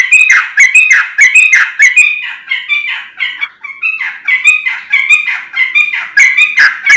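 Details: Sooty-headed bulbul singing continuously as a lure to set off other bulbuls. The song is a busy stream of bright, chattering notes, roughly a hundred and a half per minute, with no other sounds.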